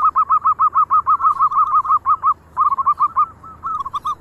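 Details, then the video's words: Local zebra doves singing; once one sounds, others join in. Rapid runs of short, rolling cooing notes, about three per second, with a brief pause near the middle before the notes resume more unevenly. "Perkutut Lokal Gacor ,,sekali bunyi yang lain ikut"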